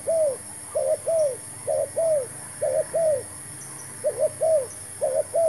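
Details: New decoy spotted dove calling during trapping with a new trap, its low, gentle coos coming in pairs, a brief note followed by a longer arched one, around eight pairs with light background hiss.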